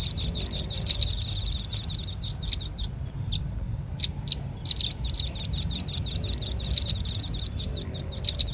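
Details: Shrill, rapid chit-chit notes of a Velvet-fronted nuthatch lure call. A long chattering run is broken by a short pause with single chips, then the fast repetition resumes.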